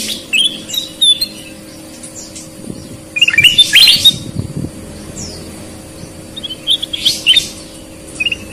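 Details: Sooty-headed bulbul singing, red-eyed versus white-eyed: scattered chirps and whistles, then a louder rapid burst and later short phrases, with some low rumbling noise and a steady hum.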